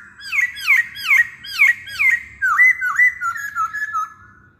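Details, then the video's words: Masked laughingthrush song used as a lure to get other masked laughingthrushes singing: loud ringing whistled notes that dip then rise, repeated about twice a second, then a run of shorter, lower falling whistles. "Pancingan Poksay Hongkong"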